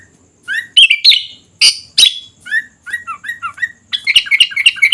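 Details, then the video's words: Sooty-headed bulbul in full song, rising whistled notes repeated several times, harsh scratchy bursts, then a rapid jumbled twittering run at the end. "Suara Kutilang Gacor Dorr"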